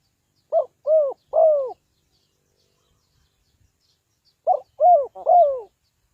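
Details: Decoy spotted dove for bird trapping cooing in two bursts of three notes. A short note comes first, followed by two fuller falling coos. A quiet pause of about three seconds separates the bursts.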